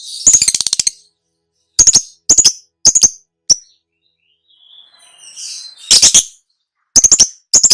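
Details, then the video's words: Lovebird (labet) trilling song from a long master recording used to lure and train cage birds; rapid pulsed high bursts in clusters with silent gaps, a faint rising warble in the middle. "SUARA BURUNG LABET MASTERAN NGEKEK DURASI PANJANG"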